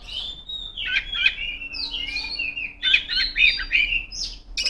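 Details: Oriental magpie-robin female in full song, calling out rivals, giving rapid chattering and whistled phrases that rise and fall, rich and busy throughout, with a faint steady low hum in the background.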